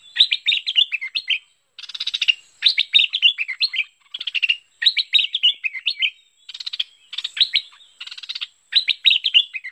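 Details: Lure recording of a bulbul (merbah lekir): rapid, bubbly chirping phrases of falling and rising notes, broken by rasping buzzy rattles, in steady bursts with brief gaps.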